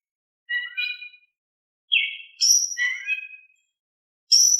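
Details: Oriental magpie-robin in a soft, steady singing style, used to coax reluctant magpie-robins into answering. Short whistled and warbled phrases with pauses, some sliding down and some wavering, then a sharp high burst at the end. No other sounds.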